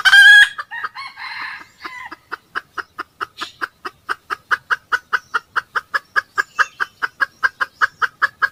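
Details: Red junglefowl at a 2020 decoy-trapping session as two birds arrive: a short loud crow opens, then a long run of sharp clucks repeated about four times a second, steady and unbroken.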